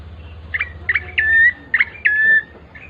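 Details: Bar-winged prinia song, played as a lure so other birds start singing: short sharp chirps followed by two longer, level, whistled notes, with a steady low hum underneath.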